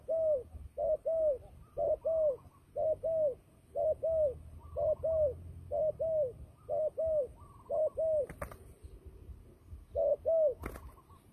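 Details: Turtle dove calling in a fighting context, as used for trapping. It gives steady paired coos at an even pace, each note rounded and falling, with two sharp clicks near the end.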